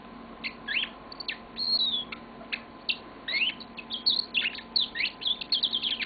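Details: Pet yellow-fronted canary in a long song, mixing sharp chirps, drawn-out whistled slides and a quickening series of twittering notes toward the end, with low constant hum behind.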